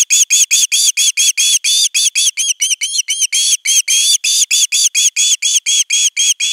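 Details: On camera at nest 3, 10 August 2021, an osprey chick calls long for fish: insistent, rapid whistled chirps varying in length and loudness, a few stretched into upward-bending notes.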